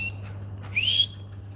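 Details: Single rising whistled call from a domestic canary, short and clean, climbing smoothly then levelling off, with a low background hum and faint soft noises.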